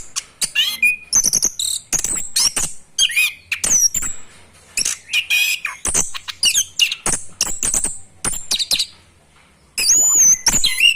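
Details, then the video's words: Young orange-headed thrush learning to sing ngerol, a rolling style: long run of rapid chirps, squawks and sliding whistles with short gaps, ending in a louder burst of looping, wavering whistled notes. "Anis Kembang belajar ngerol"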